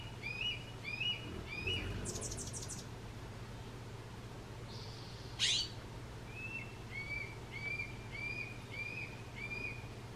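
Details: A juvenile Red-tailed Hawk crying for its parents gives thin, high, rising whistled cries in quick runs, several per second, over a steady low hum with a brief loud rustle midway.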